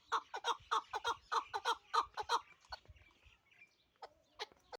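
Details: Pamir chukar partridge, kept for hunting in Dushanbe: about ten loud, rasping clucks in quick series, then the calling fades into a few soft, scattered notes and faint clicks.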